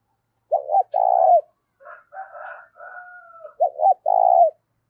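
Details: Spotted dove cooing loud and clear to stir up decoy doves, with little background noise: a pair of mellow double coos, a softer drawn-out middle phrase, then another double coo.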